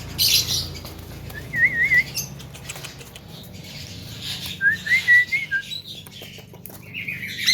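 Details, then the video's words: Melodious song from a young Javan myna, with short wavy whistled phrases between scratchy bursts and rustling noise. "BURUNG JALAK KEBO MUDA BERSUARA MERDU FULL ISIAN"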